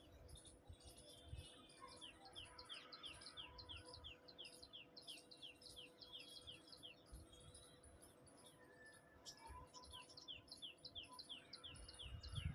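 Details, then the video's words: Small sunbird calling in the morning, a fast regular series of thin, high, downward-slurred chirps, repeated about three times a second, fairly faint over a low background rumble. "cute little sunbird making pleasant sound in morning"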